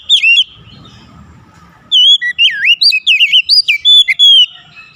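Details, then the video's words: Beautiful kacer song of an Oriental magpie-robin: one short whistled note, a quiet gap, then a lively burst of clear slurred whistles, rising and falling loops, about ten notes in quick succession. "SUSUNAN KICAUAN KACER YANG INDAH DAN ENAK DI DENGAR"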